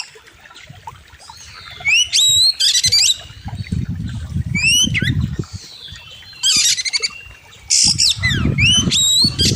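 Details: Oriental magpie-robin (kacer) song from a training master: sharp rising whistles and buzzy chattering bursts in bouts, over a steady low rumble of background noise.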